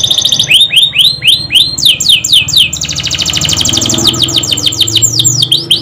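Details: Canary giving a lure song in the lively 'gacor' style with rolling ('ngerol') and 'nembak' phrases. It delivers loud trains of bright, downward-sweeping whistled notes, about three or four a second, then a fast buzzy trill, then more sweeping notes.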